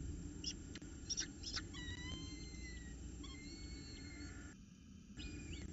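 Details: Peregrine falcon chick calling for food on 10 October 2018: a few sharp squeaks, then long drawn-out whistled whines that slide gently downward, with constant low-pitched background rumble and brief dropouts.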